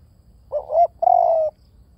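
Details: Spotted dove calling one two-part phrase, a quick throaty coo followed by a drawn-out, gently falling croo, clear against a quiet low hum.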